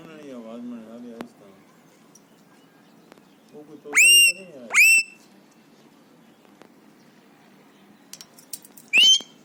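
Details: Three-year-old pet Alexandrine parakeet, happy and excited, imitating screams and whistles. Faint wavering low sounds at first, then two loud harmonic screams around four to five seconds and a final sharp rising shriek near nine seconds.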